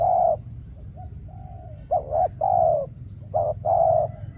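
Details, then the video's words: Trapping decoy spotted dove calling to attract rare wild doves. A loud coo, soft muted notes, then a run of firm hollow coos in quick succession. "Bẫy Chim Cu Gáy , Cu Gáy Bổi Giờ Hiếm Quá Mồi Kêu Vậy Mà Chả Thấy"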